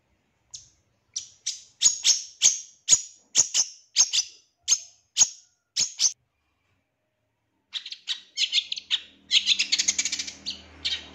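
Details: Energetic long-tailed shrike training song of the 'isian tembakan' style: sharp, high, down-slurred whistled chips repeated roughly every half second, a brief pause, then a dense burst of scratchy chattering notes.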